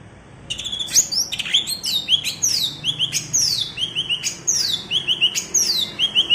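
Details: Cucak ijo from Alas Purwo, Banyuwangi, singing its prized bebeci song type, valued by songbird keepers as a contest marker: rapid repeated phrases of steep descending whistles ending in short buzzy notes, about seven phrases in quick succession.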